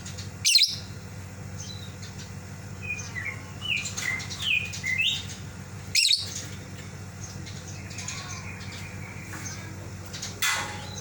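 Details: Caged lovebird calling its companion that left the cage: three widely spaced sharp, shrill screeches, with softer chirps and twitters from other birds and a constant low hum between them.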